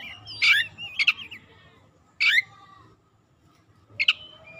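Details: Oriental magpie-robin song meant to lure quiet magpie-robins into full song: four short harsh, scratchy bursts spaced about a second apart, mixed with brief whistled slurs, over a low background hum.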